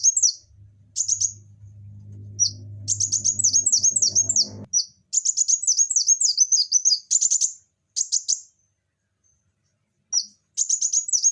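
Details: A vigorous Van Hasselt's sunbird pours out shrill, high-pitched strings of quick falling notes in bursts, some runs lasting over two seconds; a low humming noise underlies the first few seconds.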